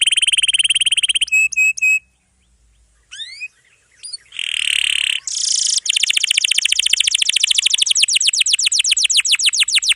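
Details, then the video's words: Atlantic canary singing long rolls to tutor young or silent canaries: an even rapid roll and flat whistles, a pause with scattered notes, a buzzy burst, then a long fast trill. "KENARI GACOR ROLL PANJANG"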